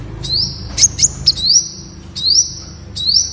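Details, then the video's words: Song of the Temminck's sunbird: thin high upward-sweeping whistles drawn into sustained sibilant trills, with three sharp clicks near the start, three phrases in all. "Tiếng chim Hút mật Sting (Hút mật đỏ Malaysia) ✅Temminck's Sunbird (Aethopyga temminckii)"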